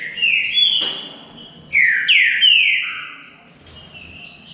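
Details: Singing contest between two green-winged saltators in Brazil: clear, ringing whistled phrases of downward-slurred notes, a burst of several in a row around the middle, followed by softer trailing whistles and a faint click.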